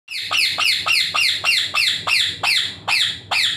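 Rose-ringed parakeet giving a rapid series of harsh, grating screeches, about three per second, each a loud falling squawk.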